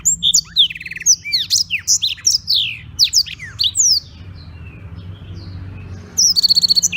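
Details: Black-throated canary from Beng, Gianyar, Bali, singing energetically as a tutor recording for training other birds: about four seconds of rapid, varied, high whistled and slurred notes, a short lull, then a fast, high, buzzy trill at the end.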